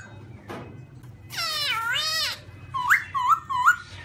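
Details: White-cheeked black-throated laughingthrush giving a loud, rich, wavering note that bends down and back up, followed by three short rising whistles.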